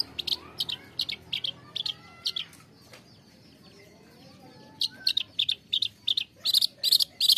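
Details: Long-tailed shrike song, played to coax caged shrikes that are reluctant to sing or stressed into singing. Harsh, buzzy chirps come in quick bursts of two or three with brief pauses, a quieter stretch midway, then rapid scratchy notes.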